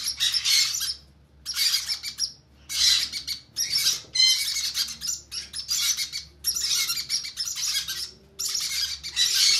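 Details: During hand feeding, conure chicks give rhythmic, raspy begging squeals, short bursts repeated about once a second with clear pauses between.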